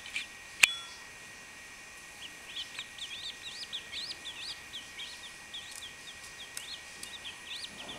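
A chachalaca chick gives rapid, high, thin peeping chirps in quick bursts, with a sharp click near the start and a faint steady electronic whine underneath.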